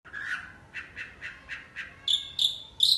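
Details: Long-tailed shrike in Indonesia imitating a cricket: soft rhythmic chirps repeated about every quarter second, then brighter, higher whistled notes in short bursts toward the end, with a faint background hiss.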